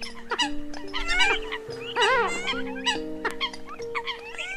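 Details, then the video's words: Eurasian coot flock on a lure track released October 2020 for attracting birds: busy overlapping nasal calls with rising and falling inflections, backed by continuous flat droning tones. "Tiếng Sâm Cầm Mới Nhất Tháng 10 Năm 2020"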